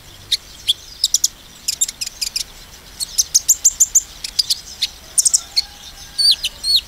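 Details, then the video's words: Sunbird delivering a 'nembak' shooting song to stir up other sunbirds: a quick run of very high, sharp ticking notes and thin whistled chirps, bunched in bursts, some rising or falling, over quiet background. "konin nembak mancing emosi konin lain"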